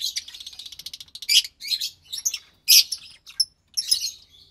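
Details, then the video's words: Lovebird chicks, two of them, pastel white and light green, recorded March 3rd, 2021; a quick rattle of soft chirps, then several loud harsh squawks with gaps. "Two Lovebird Chicks From White Pastel Violet & Pastel Mauve"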